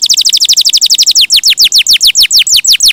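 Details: Canary song: very rapid descending whistled sweeps, about eight per second, slowing into broader, fuller slurred notes repeated roughly four times a second.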